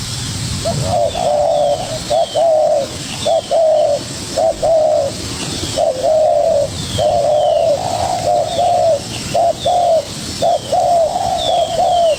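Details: Young spotted dove in an energetic duel with a decoy, pouring out soft hooting coos, short and long notes in irregular pairs about once a second, with faint higher chirps and steady hiss.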